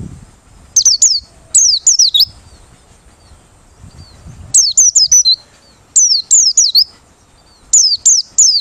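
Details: Open-beaked Merapi white-eye song meant to attract other birds: clusters of three to four piercing, high descending whistles, each group repeated after gaps of a second or more, against quiet background hum.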